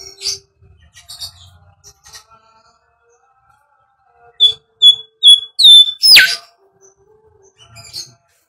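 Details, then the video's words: Bimoli whistling as a lure for training birds: a few faint scattered notes, then a quick run of five clear evenly spaced whistles ending in a loud, sharply falling sweep. "SIULAN BIMOLI UNTUK PANCINGAN BURUNG"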